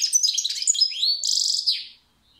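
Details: Fast, liquid goldfinch twittering with sharp high notes and a smooth upslurred whistle. It leads into a pulsed, buzzy trill, then a final falling note, and fades into silence.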